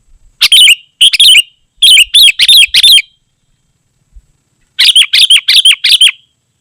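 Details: Sooty-headed bulbul singing gacor, a tightly packed lively song used to call wild bulbuls and tutor caged ones. Two bursts of quick, ringing chirped phrases with a short silent gap between them.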